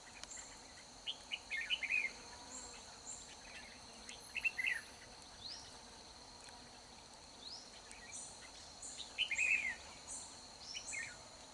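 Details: Red-whiskered bulbul, a wild bird fighting a caged decoy in the rain: short bright warbled phrases repeated at intervals, with steady rain hiss and a high insect drone underneath.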